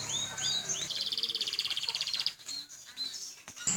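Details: Canary singing vigorously: high, rapid bead-like trill held for over a second, preceded by thin upward whistled sweeps and followed by scattered chirps, over faint background noise.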